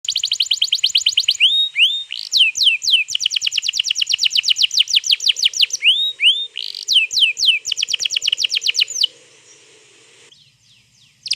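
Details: Canary singing a long rolling song used to prompt another canary to sing, recorded 21 April 2022: fast repeated high chirps and downslurred whistled notes in rapid trills, with brief pauses, ending in quieter low noise.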